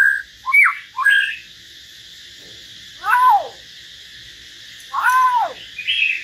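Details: Common hill myna singing solo alongside a white-rumped shama: a couple of quick whistled slurs, then two longer, rich, arched notes with harmonics, spaced about two seconds apart.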